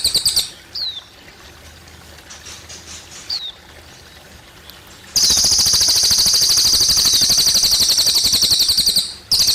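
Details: Cililin bird with running water: first a few faint, thin downslurred whistles over soft water murmur, then a loud, rapid, high chattering trill bursts in and runs steadily for about four seconds.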